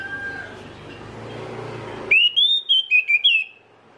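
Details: Orange-headed thrush used as a lure to prompt other birds of its kind into song: after two seconds of low background noise, a bright phrase of six sliding whistles rises, dips and ends on a falling note.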